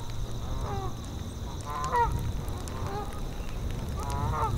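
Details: Geese on the tundra call with clear, nasal, rising honks, about four of them spaced roughly a second apart, while wind rumbles low and crickets chirp steadily in the background.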